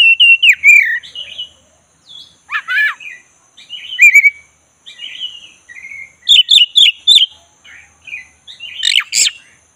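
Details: Black-breasted Oriental magpie-robin (kacer dada hitam) being provoked from a listless state into full singing: varied rich phrases of whistled slurs and rapid chattering notes, with sharp bursts and short pauses between phrases.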